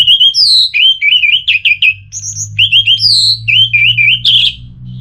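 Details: Orange-headed thrush from northern Bali singing rapid wavering whistled phrases, repeated slurred notes alternating with higher sharp whistles, a steady varied stream played to provoke another bird into singing.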